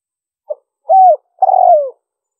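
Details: Spotted dove coo used to entice wild doves: a soft clipped note, a smooth falling coo, then a longer rough-textured coo sinking in pitch at its close. No other sounds.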